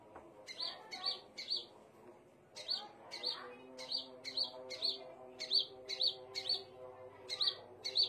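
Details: Scarlet minivet calling in bursts of sharp rising chirps, clusters of two or three notes separated by short gaps, over a low steady drone.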